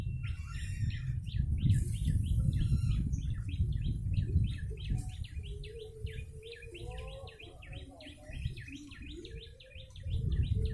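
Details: Chattering call series of a yellow-bellied prinia, used as a bird lure: dense, rapid chirps about four per second, speeding in the second half. Faint lower warbling and a low background rumble run beneath.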